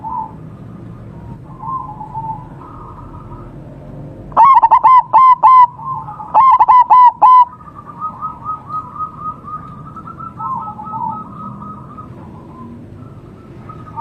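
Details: Zebra dove of a local wild strain calling by a homemade trap: two loud rapid phrases of clipped rolling coos midway, surrounded by a steady backdrop of fainter, drawn-out cooing from other doves.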